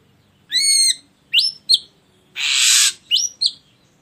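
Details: Ashy drongo singing, used as a lure to get other birds to sing: a nasal, buzzy note, then two sharp rising whistles, a long harsh hiss, and two more upslurred whistles.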